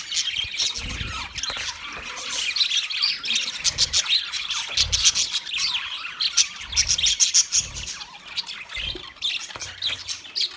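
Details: Chattering chorus of wild budgerigars, many birds calling at once in rapid high chirps and warbles, steady and unbroken, with soft low thumps recurring underneath every second or so.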